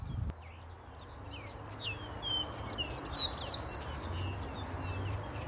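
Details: Tawny-headed Swallow, a tiny swallow newly back from migration in southern-hemisphere spring, beginning courtship: one perches vocalizing while others fly close overhead. Quick, thin twittering chirps, rising and falling notes about twice a second, over steady low background rumble.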